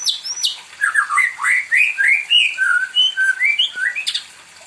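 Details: A spoiled pet white-rumped shama in full, continuous song while seeking company: dense, varied phrases of looping whistles, chirps and high sharp notes, delivered in rapid succession with hardly a pause.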